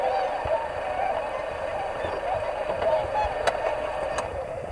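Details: A gathering of swans in February 2019, shortly before flying north, keeps up an unbroken din of overlapping honks and trumpeting notes, with a few sharp clicks or knocks heard near the end.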